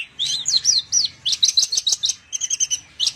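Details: High, rapid twittering of a branjangan, Javan bush lark: tight bursts of buzzy chirps and trilled notes packed into a few seconds with short pauses between groups.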